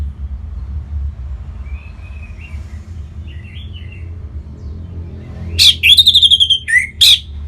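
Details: Orange-headed thrush singing as a lure so other birds sing, North Bali. Soft faint warbles come first, then a loud run of rapid whistled notes and a final descending slur near the end, with a constant low hum behind.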